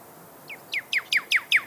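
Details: A pyrrhuloxia, or desert cardinal (Cardinalis sinuatus), sings five clear, down-slurred whistles about a fifth of a second apart, the first soft and the rest louder, over a faint background hiss.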